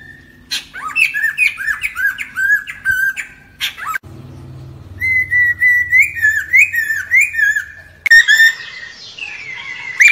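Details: Lesser necklaced laughingthrush singing as a lure for trapping; rich, fluty whistles rising and falling in quick runs, several abrupt changes between phrases, with a low hum in the background.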